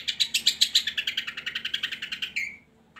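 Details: Long-tailed shrike song played to lure lazy shrikes into singing: a fast trill of about twenty harsh, buzzy notes, gradually dropping in pitch and ending in a descending slur, indoors.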